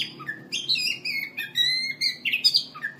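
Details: Poci-type kacer in ngobra style, an Oriental magpie-robin recorded as a master for song contests, gives short bright whistles and buzzy trills, some downslurred, in uneven bursts roughly once a second.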